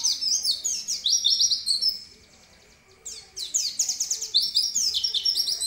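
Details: Energetic gacor singing by an oriental white-eye (pleci): thin, high chirps slurring up and down in quick succession, a brief quiet gap near the middle, then the twittering resumes at the same rapid pace.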